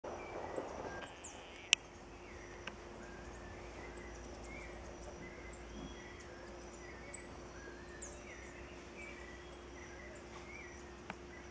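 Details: Green-headed Tanager (Tangara seledon) at Intervales, Brazil, in October 2013, giving thin, very high, sharp call notes every two to three seconds over faint chatter from other birds and a low steady hum.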